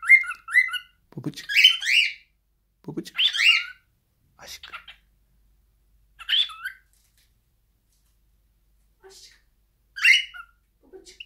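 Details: Pet cockatiels singing indoors with a female: short whistled and squawky notes with rising inflections, in bursts spaced a second or two apart, separated by quiet gaps.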